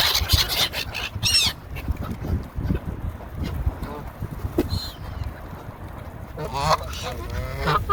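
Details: Hungry Canada goose calling while eating alongside seagulls; harsh, nasal honks with rich harmonics come in short bursts, the loudest near the end, over a steady rumble of background noise and sharper gull-like screeches at the start.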